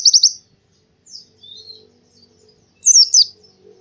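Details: Oriental white-eye in the morning, giving scattered high bursts: a quick three-note twitter, soft thin whistles, then a louder tumbling warbled phrase near the end.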